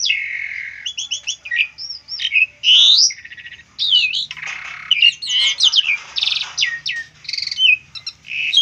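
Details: Asian pied starling singing, a recording used to train other birds: opens with a long buzzy note, then rapid varied whistles, rattles and sharp rising chirps in an almost unbroken, irregular stream.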